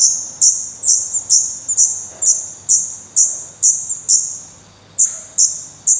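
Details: Chicks of the black redstart in a nest in Portugal, 16 May 2020; repeated high thin calls, about thirteen in six seconds, some in quick doubles, with one brief pause before the series resumes.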